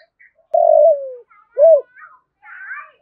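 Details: Spotted dove voice used to provoke other doves: one long, steadily falling coo followed by a short arched hoot, with faint chirping and soft background noises afterwards.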